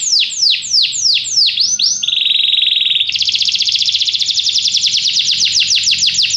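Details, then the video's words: Canary song with sweeping downward notes, then a smooth sustained buzzy tone, followed by a fast, bright rolling trill of rapidly repeated high notes. "Canary bird | o canário canta muito bem"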